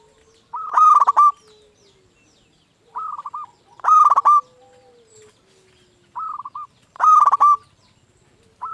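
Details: Local zebra dove song used to stir other zebra doves: loud rolling coo phrases about every three seconds, each preceded by a softer short phrase of three or four coos.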